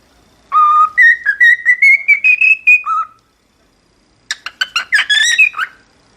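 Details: Singing cockatiel: a long string of clear whistled notes that step gradually upward in pitch, then drop, followed after a silence by a quick series of buzzier, overtone-rich chirps.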